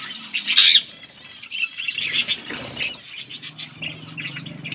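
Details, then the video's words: Budgerigars, pet parakeets, chirping and singing, recorded August 19, 2024: dense warbling chatter of quick chirps and squeaky notes, several birds overlapping continuously, with a faint low hum underneath. "Budgies chirping and singing Parakeet talking"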